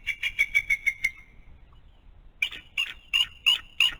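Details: Mother bald eagle calling at the nest of her one-month-old eaglet: a fast chittering series of high notes that drops slightly in pitch, a pause, then a second run of sharp repeated chirps.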